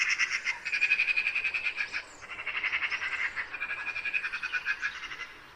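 A magpie gives a harsh, rapid rattling chatter in fast dry bursts that break off briefly and resume. No other clear sounds are present.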